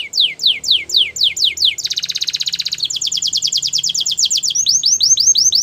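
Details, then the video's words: Canary singing a powerful training song: a series of high descending slurred notes about four per second, switching to a fast buzzy trill, then a rapid even rattle, ending in quick arched sweeps; steady, loud, with no other sounds. "Canary's most powerful song for training | Canary sounds"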